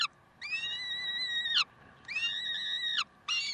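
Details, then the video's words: Peregrine falcons, Karlsruhe, 30 May 2010 at 7:27: two long, even, harmonic wails of over a second each that slur downward at the close. A third call begins at the end. "Slechtvalken Karlsruhe"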